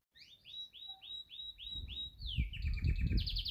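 A Yorkshire canary sings a quick run of repeated rising notes, about three per second, then a falling slur into rapid high trills over low room rumble.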